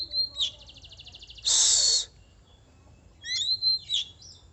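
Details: Oriental magpie-robin song: a rapid buzzy trill, then a loud harsh rasp, then a few sharp whistled notes.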